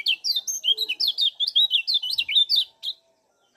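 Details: Lemon-bellied white-eye (kecial kuning) from Lombok in full, energetic voice, used as a lure to stimulate other birds: fast, high, twittering chirps tumbling up and down in pitch, delivered in a dense run before falling silent.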